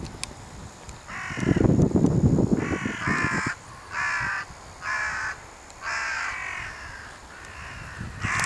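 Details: A flock of crows, flushed from a farm field as a person approached, circling overhead and cawing: a run of harsh, hoarse caws roughly every second, after a burst of low rumbling noise near the start.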